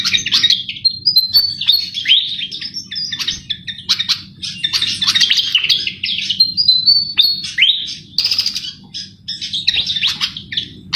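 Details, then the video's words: Javan flycatcher singing energetically, played as a lure to attract birds for trapping: long unbroken rapid twittering with mixed high whistles, trills and scratchy notes, plus a constant low background hum. "Suara burung Sikatan jawa Gacor cocok buat pancingan pikat"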